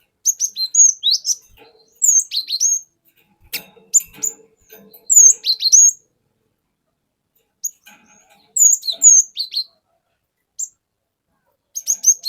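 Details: Cinereous tit from the forest singing a long 'wucit wuit' lure song: repeated bursts of high, quick chirps and downslurred whistles, separated by pauses of one to two seconds.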